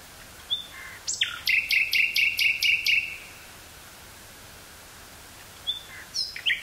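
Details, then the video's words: A common nightingale sings in woods near Burgh-Haamstede, Netherlands, on 18 May 1983, a quick run of about seven loud, repeated notes, then a pause before a new phrase begins. "Nightingale singing"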